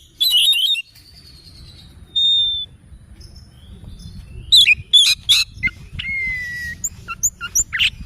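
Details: Morning song of an oriental magpie-robin, mixing clear drawn-out whistles, some falling, with quick sharp chips and short chattering phrases, set against faint low background noise.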